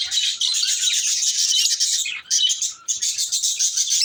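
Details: Continuous shrill, buzzy twittering from lovebirds, a dense high wash of overlapping squeaks with two brief dips.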